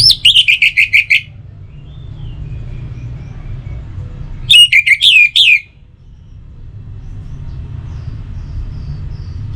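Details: Orange-headed thrush song played morning and evening to make other birds sing more: a quick falling series of sharp whistled notes, a pause with faint background hum, then a second rapid burst.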